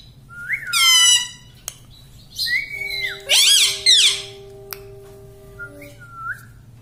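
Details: Household talking parrot mimicking words like "mummy" indoors: harmonic, speech-like squawked syllables with sharp rising and falling glides, separated by pauses. Faint steady tones and a low room hum lie beneath.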